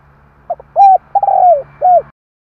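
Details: Spotted dove giving its luring call: soft coo phrase with a short stuttered start, an arched coo, a long rolling coo sliding down and a final bowed coo, over a steady low electrical hum.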